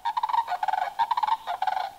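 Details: A mated Sandhill Crane pair at dawn during an April crane count in Sauk County, Wisconsin, gives a unison call: a loud rolling, rattling duet of quick trumpeting notes alternating between a higher and a lower tone.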